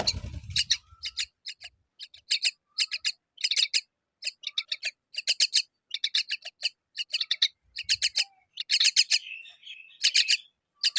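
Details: Myna feeding fig to her young; clusters of short buzzy, rasping notes in irregular groups of two to four, close and clear, with brief low thumps.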